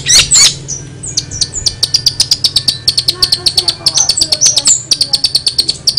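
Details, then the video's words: Long-tailed shrike in full, strange-sounding song: a rapid train of short high ticking notes mixed with brief whistled slurs, all over a faint low drone. "cendet gacor suara aneh"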